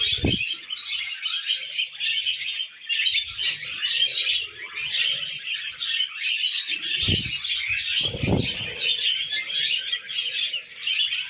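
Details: Tamed pet budgerigars chattering in a dense, continuous stream of high, scratchy chirps and warbles, with a few low thumps near the start and around seconds seven and eight.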